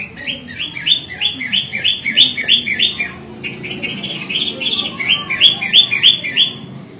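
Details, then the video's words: Long-tailed shrike of the matahari type in energetic song: long runs of repeated upward-swept notes, roughly three each second, briefly pausing midway before resuming with louder, clicking accents. "PENTET MATAHARI SUPER GACOR"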